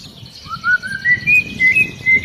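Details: Agitated white-rumped shama giving a rising series of clear whistled notes, each slightly higher than the last, in short spaced pulses, with a faint background hum.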